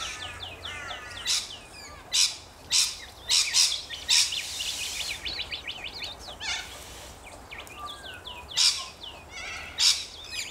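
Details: Several rainbow lorikeets in Australia mixing shrill, grating screeches with rapid squeaky chattering notes, loud bursts spaced irregularly through a busy flock chorus.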